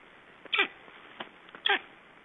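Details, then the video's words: Black storks in Estonia at play on 22 July 2012, giving brief rough, wheezy bursts: two strong ones over a second apart with fainter scratchy notes between them. "Estonian Black Storks - Playing"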